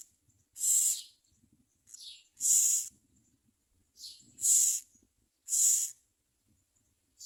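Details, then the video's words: Baby common mynas in the nest calling to their mother: a rapid series of harsh, rasping screams, each under a second long, roughly one per second, some paired with softer lead-in notes. "Common myna Baby Birds Screaming Mother at Nest"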